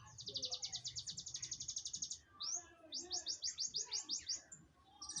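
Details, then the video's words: Munias (pipit bondol / emprit kaji) chirp busily: a fast run of thin, high chirps for about two seconds, then a string of quick rising, upslurred notes after a brief pause. "burung Pipit bodol/ emprit kaji ngriwik"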